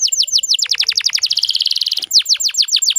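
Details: Female canary sound meant to stimulate males to sing: a series of high downslurred notes, a fast even trill in the middle, then more ringing downslurred notes.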